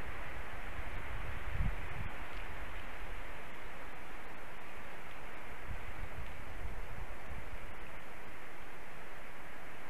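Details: Continuous rushing hiss with low-frequency rumble, like wind or road noise, and no animal voices.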